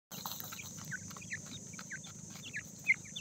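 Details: Francolin chicks calling in the morning: many short, high chirps and peeps, several each second and often overlapping, over a steady high hiss and a low background rumble.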